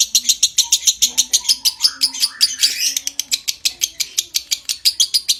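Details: Lovebird in long 'ngekek' chatter, intended to stimulate breeding condition; shrill notes pulse about three times a second in a steady, unbroken run, with faint low background sounds underneath.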